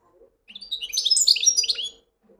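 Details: European goldfinch song: a rapid burst of bright, liquid twittering with tinkling, slurred high notes lasting about one and a half seconds. A faint low steady hum runs beneath it in an otherwise quiet setting.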